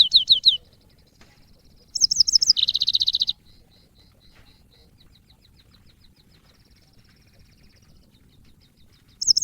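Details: Yellow-fronted canary song, training audio for cage birds. Short bursts of high chirping with a quick buzzy trill sit between long quiet stretches, with one final brief twitter.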